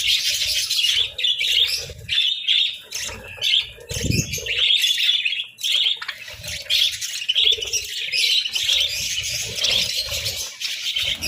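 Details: Several budgies feeding on boiled eggs and bread during winter keep up a steady, high, scratchy twittering, broken by brief pauses and one low thud near the middle.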